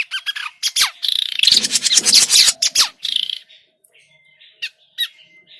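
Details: Noisy grey-cheeked bulbul lure call for trapping: harsh, fast chatter mixed with squeaky notes, fading into quieter thin whistles and sharp chips.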